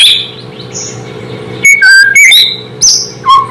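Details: A white-rumped shama gives a sparse song to provoke other shamas: faint notes, then short clear whistles, a falling slur and a high piping note, separated by pauses with steady low hum.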